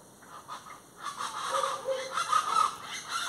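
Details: Plain chachalacas calling: after a quiet second, harsh, raucous rasping calls start up and grow louder in rapid overlapping bursts, with a few lower clucking notes underneath.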